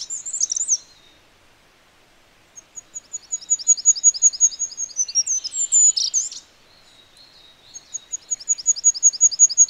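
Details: Goldcrest, free wild bird; very high, thin song of rapidly repeated see-saw notes accelerating into a quick twittering flourish, phrases about four seconds long separated by short pauses, clean quiet background.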